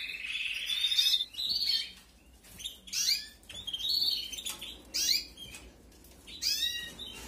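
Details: Canary chicks begging while being fed, from a 2021 canary breeding season: bursts of harsh, high, sweeping chirps, each lasting under a second and coming roughly every second, with short quiet gaps between them.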